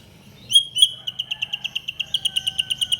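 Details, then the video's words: White-rumped shama song meant to provoke other shamas into singing: two sharp rising whistles followed by a rapid, steady trill of about sixteen evenly spaced high notes, over a faint low hum. "SUARA BURUNG MURAI BATU GACOR INI"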